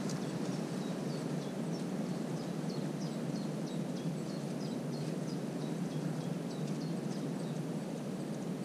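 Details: A common cuckoo chick in the nest of its marsh warbler hosts, filmed 22 June, begs for food with thin, high, rapid ticking notes repeated steadily, faint above a constant low background rumble.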